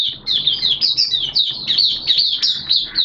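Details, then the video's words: Oriental white-eye, a hobby songbird, singing on 11 September 2022 amid wet, erratic weather: a fast, continuous high warble of slurred chirps, loud and even throughout. "Mata Puteh T-Rex Buka Sing"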